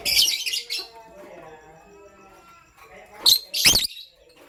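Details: Morning chirping from pastel gray and green lovebirds: a burst of raspy high chirps, a lull with faint lower whistled tones behind, then two more sharp shrill chirps.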